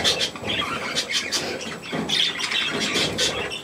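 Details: Budgerigars and their young with millet, rapid raspy squawks and clicky chirps roughly every few tenths of a second, several birds calling together in a small room.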